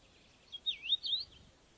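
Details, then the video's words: Common rosefinch recorded in the field in the UK, delivering a short, slightly fainter phrase of wavering slurred whistles that drop then climb. Light environmental hiss runs underneath. "Common Rosefinch UK Birds. Bird Song Identifier, Field Recording, Bird Song"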